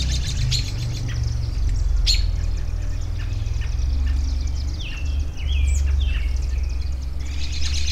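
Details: Outdoor birdsong mixing sharp high chirps with a few clear downward-slurred whistles near the middle, set against constant low-pitched rumbling noise.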